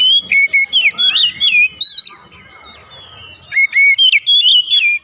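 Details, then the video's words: Oriental magpie-robin morning song: loud, clipped whistles repeated at a brisk pace, a brief lull with softer background sound, then another fast run of ringing whistled notes. "OCEHAN KACER DI PAGI HARI"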